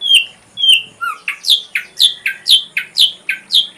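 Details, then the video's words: Ashy drongo in a full-repertoire tutor recording for training songbirds: two clear down-slurred whistles, then a brisk run of paired down-slurred notes about four per second, over a faint steady high hiss. "Masteran srigunting abu abu isian lengkap"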